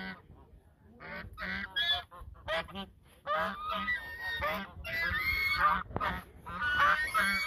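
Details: Geese duetting at the Sosúa river mouth, Dominican Republic, give rapid strings of short, nasal honks that grow into longer, louder, overlapping blaring calls toward the end.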